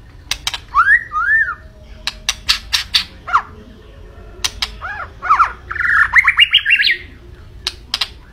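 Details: White-rumped shama singing in full voice: loud sharp clicks alternating with arched, slurred whistles and a rapid rising series of chattering notes near the end.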